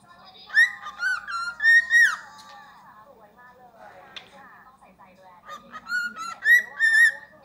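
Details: Cockatiel whistling the Happy Birthday tune, mimicking it: two clear, rising whistled phrases with a bright, ringing tone, separated by a quiet pause with faint room murmur.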